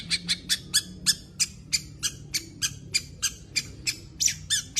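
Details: Long-tailed shrike giving harsh, scratchy squawking notes repeated steadily about three times a second, each a broad raspy burst, in a small room.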